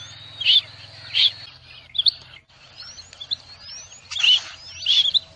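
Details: Rain quail song: loud, high, buzzy double chirps repeated roughly every 0.7 seconds, interleaved with thin rising whistles from another bird over a low droning hum.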